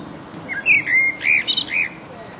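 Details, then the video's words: Resident blackbird in full voice giving its mating song: a few mellow, fluted whistles that rise and fall, with a brief high twittering flourish in the middle, over quiet background. "The mating song of a Black bird"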